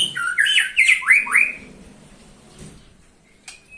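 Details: White-rumped shama song used to lure other shamas: a quick burst of swooping, slurred whistles and scratchy notes lasting under two seconds, then near silence with one faint high note.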